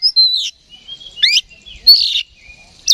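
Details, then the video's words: Oriental magpie-robin stirred to fight by a lure recording gives loud, clear whistled notes sliding downward, mixed with sharp rising chirps and a fainter thin whistle between them. "KACER GACOR NGEPLONG TARUNG !! PANCINGAN KACER PALING AMPUH BUAT MENAIKAN EMOSI KACER AUTO RESPON"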